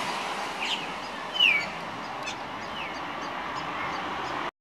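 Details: One of several figbirds at Pacific Pines Central Park gives one clear, sharp downslurred whistle, with a few fainter whistled notes before and after over a steady background hiss.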